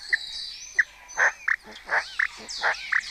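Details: At first light, a starling colony in Cabañeros National Park, Spain, during the red deer rut, sings a jumble of overlapping clicks, squeaks and thin high whistles, mimicking kites, orioles, quail and stork bill-clattering.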